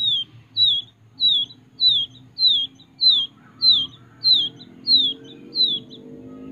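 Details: Wild quail chick kept and reared from small in Kediri; a steady series of about ten high, downslurred peeps roughly every 0.6 seconds, with faint low hum and a rising tone in the background.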